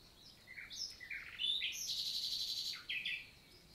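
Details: A common nightingale sings in the morning on 11 June 2023 in countryside forest in the Célé valley, Lot, southern France: a rich, varied phrase of sweeping whistles, fast rattling trills and sharp chips, mostly high-pitched, over a quiet background.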